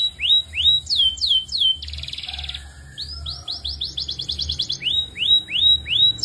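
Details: Belgian canary song of clear descending-then-rising whistled sweeps, a short buzzy rattle, a run of quick rising notes accelerating into a trill, then more looping whistles.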